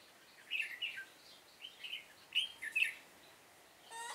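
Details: Red-whiskered bulbul used as a trapping decoy in Vietnam, September 2018: short paired phrases of rich, slurred whistles repeated several times, followed by a brief buzzy sound at the end.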